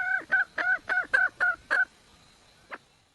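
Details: A wild red junglefowl hen calls to attract a male, giving seven clipped, downward-bending cackles in quick succession, then falling silent apart from one faint later note.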